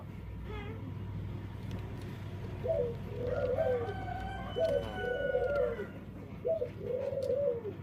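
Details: Dove with an unusual voice, possibly a defect: soft arched coos in three short bursts in the second half, a faint thin whistle and steady low hum behind.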